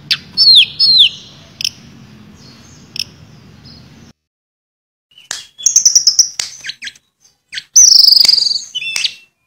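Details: Tledekan or sulingan in flute-like 'nyuling' style with 'isian' fill-ins, a bird said to imitate other species: paired high falling whistles, a quiet pause, then bursts of rapid ticking notes and long bright descending whistles.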